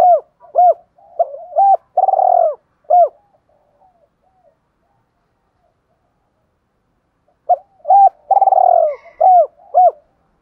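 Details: Spotted dove, a trained fighting male cooing to draw wild doves to answer and approach. Arched, hooting coo notes and a rolling purr come in two bursts about six seconds apart, with silence between.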